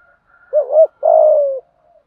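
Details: Single spotted dove phrase of fighting-style cooing for training decoy birds: two quick hollow hooted notes, then a drawn-out coo sliding gently downward, with nothing else audible.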